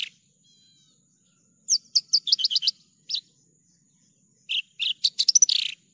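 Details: Javan bush lark in strong song: after a quiet start, two bursts of quick, bright, clipped chirps, the second ending in a dense buzzy flourish, with a faint constant high whine behind.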